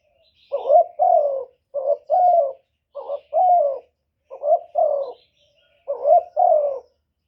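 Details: Spotted dove call meant to draw in wild doves: five low, burry coo phrases in a steady rhythm, each pairing a brief note with a longer, gently falling one.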